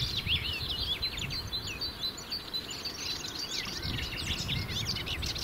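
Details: A territorial Melodious warbler sings each morning from the top of a roadside bush in the Brenne, central France, pouring out a fast, babbling song of varied chirps, twitters and short whistles over a low rumble of wind.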